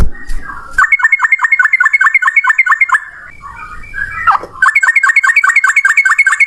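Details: Long-breath rolling song of a yellow-vented bulbul in full voice: two runs of quick, evenly repeated liquid notes, separated by a brief jumbled warble.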